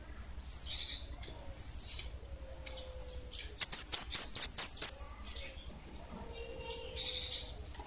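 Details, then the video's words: 'Bunga api kecil' style song of a kemade, or orange-headed thrush: soft buzzy fragments lead into six to seven rapid, shrill, downslurred whistles over about one second, followed by another quieter buzzy phrase. "Kemade Bunga Api Kecil'' Suara Gacor!!!"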